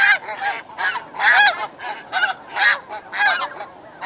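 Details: Snow geese in flight at Chincoteague, Virginia, U.S., giving loud, harsh honking flight calls repeated in quick bursts, roughly eight or nine distinct honks over a few seconds, with a flock calling in the background.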